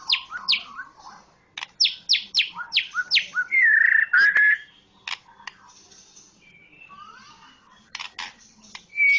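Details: A Medan white-rumped shama delivers a series of sharp downward-slurred whistles, then a loud warbling fluted phrase, followed by scattered clicks and soft whistles and a closing high note.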